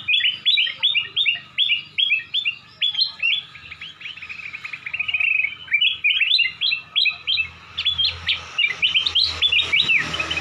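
Black-crested bulbul giving a bright, clear song of quick, bubbling whistled notes, repeated in tight bursts about three times a second, with a fast trill midway.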